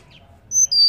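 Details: Female banded pitta giving a call to stimulate males to call: two brief, high, level whistled notes in quick succession, the second slightly lower and longer, over quiet background.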